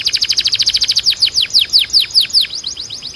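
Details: Training canary song: a very fast run of repeated notes that slows into distinct descending whistled sweeps, spaced wider toward the end, high and bright throughout.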